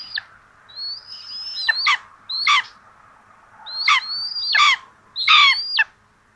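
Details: Common buzzards at a nest in Tiszalök, Hungary, with two chicks and a rabbit brought for breakfast, 26 June 2022, give thin, high whistles, some held then dropping sharply, broken by harsher squealing bursts about every second over a faint hum.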